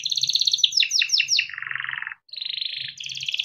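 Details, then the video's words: Timbrado canary training song: a buzzy trill, a run of falling swept notes, a low rolling churr, a brief pause, then higher rattling trills; soft low hum in the background. "Timbrado canary singing beautiful melodic songs for training and listening"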